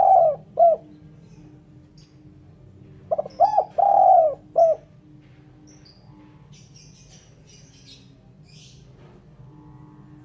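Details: Spotted dove coo recorded cleanly for luring birds. A phrase ends at the start, and later one full phrase follows: a stutter, a rising coo, a long coo and a clipped coo. Faint high chirps and a low hum sit in the background.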